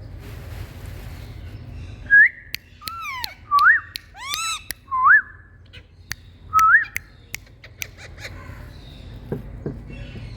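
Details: Indian green rose-ringed parakeets calling: four clear rising whistles, one every second or two, mixed with harsh, bending screech notes and a few sharp clicks.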